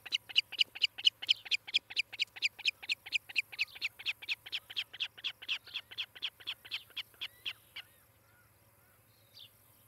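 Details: Osprey pair at a nest cam in Charlo, Montana, on 18 July 2018 in late morning: a long run of sharp, whistled chirps, about two per second, fading slightly before stopping after eight seconds, over a low steady hum.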